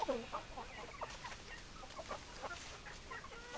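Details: Hens and roosters heard as a busy chorus of short clucks and squawky notes, many birds calling over each other continuously.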